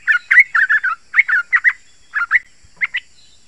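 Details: Yellow-vented bulbul song for luring other bulbuls: bubbly, gurgling phrases of short warbled notes delivered in clustered groups, tapering into sparser paired notes.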